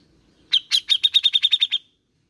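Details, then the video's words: Grey-cheeked bulbul, a bait recording to coax a reluctant bird to sing: a quick run of about ten bright, high chattering notes, evenly repeated for just over a second, against a quiet background. "Pancingan Cucak jenggot malas bunyi"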